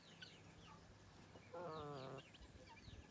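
A sleeping gosling gives one soft, nasal call lasting under a second that drifts slightly downward, with faint chirps of other birds and a low hum behind.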